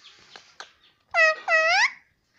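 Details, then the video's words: Indoor pet parrot imitating words such as "mummy" and "papa": after a few soft clicks comes a loud two-syllable phrase, each syllable rich in harmonics, the second curving upward at its end. "parrot talking || nonstop talking mummy papa"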